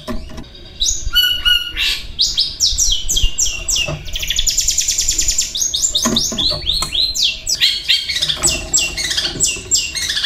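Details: Long-tailed shrike, a caged singer mixing copied calls of kingfisher, fighting sparrow, kuntilanak and lovebird. A varied run of clear rising and falling whistles and chirps, with a brief buzzy trill in the middle.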